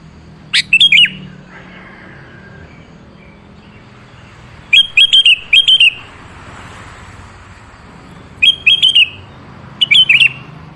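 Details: Sooty-headed bulbul song played to coax another bird into replying: four separate bursts of quick, bubbly whistled notes, several seconds apart, each phrase three or four notes, over faint low rumble.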